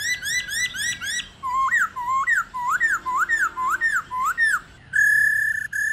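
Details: Old wild-caught female black-throated laughingthrush used to stimulate males to sing. Quick repeated chirps give way to a run of looping whistled notes that rise and fall in pitch. A flat, steady whistle closes the sequence.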